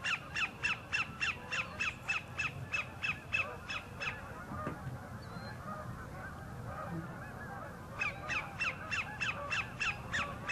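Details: Sandpiper singing for a mate, Horicon Marsh northern end: a long run of quick, sharp descending notes, then several seconds of quiet marsh ambience, then the rapid repeated series resumes.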